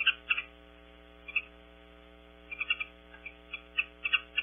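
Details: Possible Mountain Bluebird, identification queried, visiting Audubon Starr Ranch, California, on a nest-box and watering-hole camera: short, soft chirped notes, singly and in quick pairs, over a steady low electrical hum.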